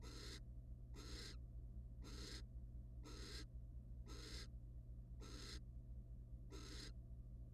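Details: Male and female wild barn owls in a monitored nest box, the male mating then preening her feathers; seven evenly spaced, breathy screechy hisses, nearly one per second, over a steady low drone.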